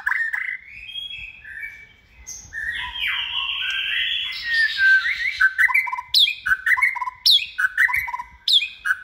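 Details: Competition-trained captive white-rumped shama, raised from a nestling, sings a long, rich sequence of fluty slurs and buzzy sweeps, ending with sharp notes alternating high and low, repeated roughly twice a second.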